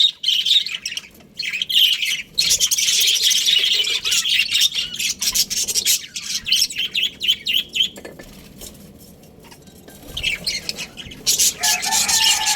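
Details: Australian budgerigars, a breeding pair, chattering busily with dense, rapid high chirps and warbles, repeated many times a minute, with short pauses between bursts and a brief quieter stretch near the end.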